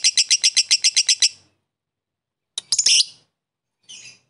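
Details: Fighter lovebird chatter used as a lure for rivals: a short quick run of about nine high, sharp notes, then a pause, a harsh squeaky burst, and a faint final chirp.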